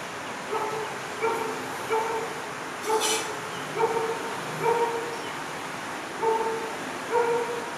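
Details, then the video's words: Hornbill visiting again, filmed while walking around it with a Panasonic Lumix camera: a series of short, hollow, nasal notes repeated roughly once a second, each note with a clear overtone, over a steady background hiss and one brief high crackle. "Hornbill visited us again"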